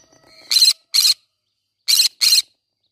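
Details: Green-cheeked conure singing in a flower garden: two pairs of loud, rasping screeches about a second apart, each burst short and harsh. A few soft, faint chirps come before them.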